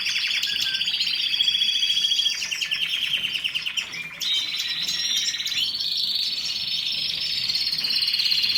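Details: Canary song made of sustained rolling trills, each held for a second or two before switching to a new pitch, delivered loudly and without pause.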